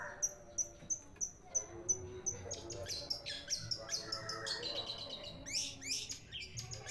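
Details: Long-tailed shrike, which sings like an Asian pied starling, calling out as a house guard when someone arrives: a run of evenly spaced high chirps, then a burst of varied sharp whistles and rising notes.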